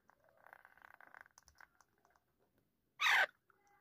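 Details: Soft tonal chatter, then a single sudden, harsh screech near the end from a pet talking Alexandrine parakeet in a quiet room.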